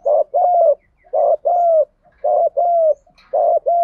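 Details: Luring coos of spotted doves, male and female, in fighting style: clean paired mellow notes repeated roughly every second in a steady rhythm.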